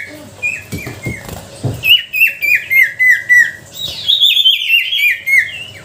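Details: Sooty-headed bulbul lure song: a few soft notes and knocks, then a fast series of clear whistles, each dropping in pitch, repeated several times a second.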